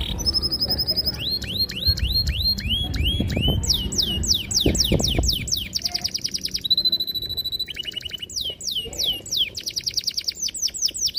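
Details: Long, sharp canary song meant to lure young canaries into singing: rapid successive downward whistles, looping slurs and steady trills, varied phrases flowing without pause, faint low noise beneath.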